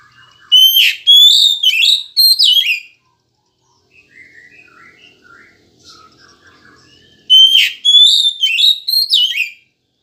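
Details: Oriental magpie-robin (kacer) song for prompting pet birds to sing in the morning: two loud whistled phrases of slurred, dropping notes, separated by softer, lower chirping twitters in the gap.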